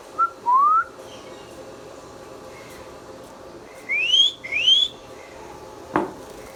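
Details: Pet Indian ringneck parakeet, a talking bird, giving three upward-sweeping whistles: one short early, then two higher paired sweeps near the end, followed by a single knock.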